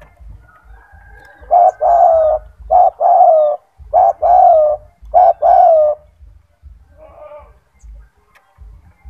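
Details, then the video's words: Strong-voiced pet spotted dove singing persistently, presented as a model for training other doves: a run of four low two-part coo phrases, short note then drawn-out falling note, followed by quieter murmuring and low background rumble. "Suara burung tekukur gacor cocok untuk masteran tekukur anda"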